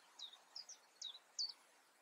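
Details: European crested tit calling in the Eifel, Germany: four short high chirps, each a quick down-swept note, spaced about every third of a second, over faint steady background hiss.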